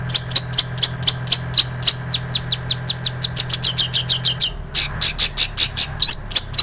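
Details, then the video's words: Long-tailed shrike mimicking ciblek sawah and canary, kept as training audio for songbirds: a long series of sharp high chips about four per second, shifting in pitch and spacing, over a low steady hum. "Cendet Isian Ciblek Sawah Kenari"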